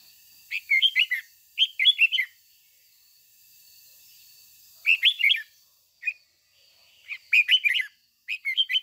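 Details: Red-whiskered bulbul lure song in the 'ché' style, used to excite caged bulbuls. Rapid bubbling phrases of several warbled notes are delivered in groups, with a quiet stretch of a few seconds before singing resumes.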